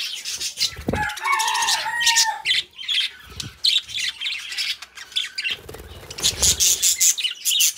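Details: Pet budgerigars, a pair: a sharp squawk opens into a wavering whistled warble, followed by dense raspy chirping and buzzy chatter that grows louder toward the end.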